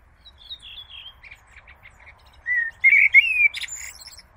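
A Common Blackbird sings a soft, warbled phrase, then louder fluty whistles and a scratchy, twittering ending, over a faint low hum.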